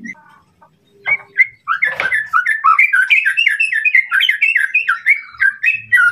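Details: White-rumped shama song used to rile a rival: after a few soft notes, an unbroken run of rapid, varied whistled slurs and chips at a fast pace.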